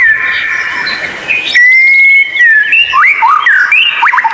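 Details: White-rumped shama tutor song meant to coax lazy captive birds into singing: a buzzy, noisy opening, then a long pure whistle followed by quick swooping and dropping whistled notes.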